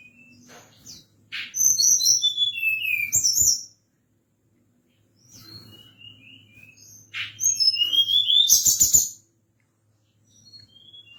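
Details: Forktail calling at night, a lure call meant to stir other birds into answering; two loud bursts of sharp, high, descending whistled notes mixed with quick chirps, separated by quiet gaps, over a faint low hum.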